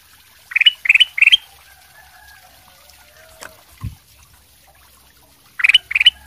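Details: Golden bulbul (kutilang emas) in full song, used as a lure to get other birds to answer: three quick bright chattering phrases close together, a quiet pause with a soft knock, then two more phrases.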